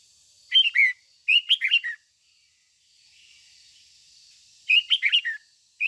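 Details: Red-whiskered bulbul decoy singing in the 'ché' style to stimulate other bulbuls: three bubbly phrases of quick up-and-down whistles, then a pause, and a fourth phrase beginning at the end.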